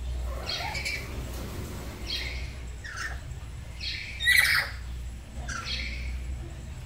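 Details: Black-capped lories kept at home, two birds duetting in the morning while practising 'gacor' song; a string of scratchy squawks about a second apart, one louder and harsher than the rest, over low background hum.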